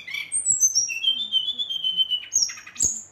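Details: Rolling song of an agitated Brown-chested jungle flycatcher provoking rivals: a long series of clear whistles sliding down in pitch, followed by a buzzy burst and a sharp high note.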